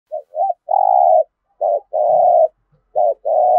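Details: Spotted dove cooing in the full fighting-style sequence, a Thổ-voice song used to stir captive birds into calling: short soft notes followed by long hollow coos, repeated in phrases.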